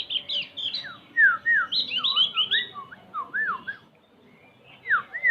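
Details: {'caption': 'Javan white-eye song of clear whistled notes, rising and falling in repeated swoops, interwoven with higher quick chattering twitters, a short pause, then further swooping whistles.'}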